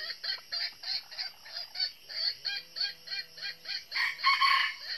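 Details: Decoy red junglefowl hen, northern red-eared type, calling to draw wild males to a trap: a steady run of quick clucks, roughly four a second, ending in a louder, harsher burst.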